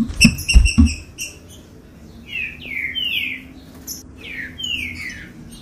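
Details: Green-winged saltator song, played to warm up caged birds: after a few thumps and sharp chips, a series of loud slurred whistles slide downward in turn, repeated several times.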